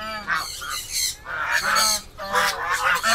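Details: Farmyard domestic ducks near their new house, built beside a turtle enclosure, call in loud, rough, nasal honks, grouped in three bursts with short pauses between.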